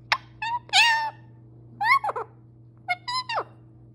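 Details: Male parrot kept as a pet, vocalizing indoors: three short groups of squawky, whistled syllables that bend up and down in pitch, about one group per second, with a steady low hum behind.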